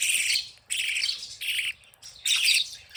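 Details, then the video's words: Budgies at play give loud buzzy, grating bursts of chatter, each about half a second long, repeated with short gaps. "Happy & Playing Beautiful Budgies sounds"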